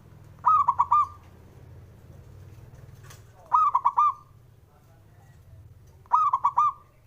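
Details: Male local Javanese zebra dove singing to provoke rivals into answering: three cooing phrases about three seconds apart, each a quick run of four or five mellow, rolling notes ending in a drawn-out tail, over a low steady hum.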